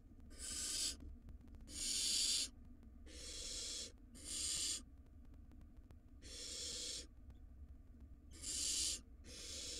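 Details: Wild barn owl nestling in a monitored nest box while swallowing a rodent, giving harsh, breathy hisses lasting under a second each, about seven bursts in ten seconds, over a steady low hum.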